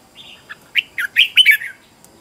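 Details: Decoy red-whiskered bulbul in competitive song meant to draw in wild birds: one brisk phrase of five or six clear, liquid whistled notes, starting soft and growing louder, ending in a slurred downward trill.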